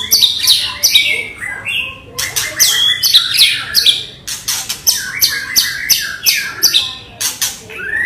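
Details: Non-stop agitated song of a white-rumped shama used to provoke other birds: dense, rapid mix of harsh crackling bursts and sharp whistled notes, repeated in quick phrases throughout.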